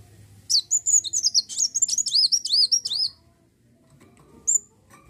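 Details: Olive-backed sunbird, known locally as kolibri wulung, singing a lively song meant to lure other birds into singing: a rapid run of high, thin, slurred whistles and chips for about two and a half seconds, then one short note after a pause.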